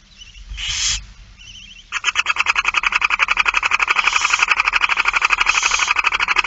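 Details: Barn owl feeding, 8 September 2019 at 16:02: one short hiss, then a long, fast, regular series of sharp clicking pulses, about four per second, building in strength.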